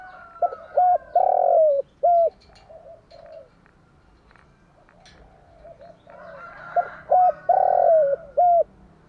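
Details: Spotted dove morning song used as a lure for doves: hollow cooing phrases with brief notes rising into a long, downward-sliding coo, then a short final note, repeated twice with faint cooing in between.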